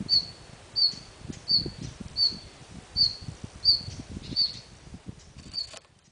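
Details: Red-flanked bluetail recorded in Munakata, Japan, in November 2010, giving short, sharp, high single call notes repeated steadily about every 0.7 seconds, eight in a row, over a low rumbling, thumping background noise.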